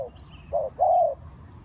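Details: Spotted dove kept to lure wild birds for trapping, uttering a short phrase: a clipped coo followed by a longer, drawn-out hollow croo, low-pitched and even.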